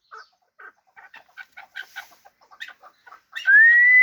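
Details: Hybrid fighting chukar partridge giving a scattered series of short, gruff chuk notes that speed up and cluster, ending with a loud, steady whistled tone that rises slightly.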